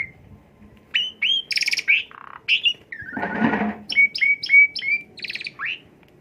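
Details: Asian pied starling song used as a lure to stimulate a bird: a dense mix of whistled rising notes, harsh squawks, a low throaty rattle mid-phrase and a rapid string of clipped chirps.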